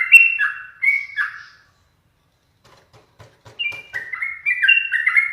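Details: Teased pet yellow-vented bulbul: a few warbled whistled notes, a quiet stretch with soft tapping sounds, then a renewed run of quick liquid phrases.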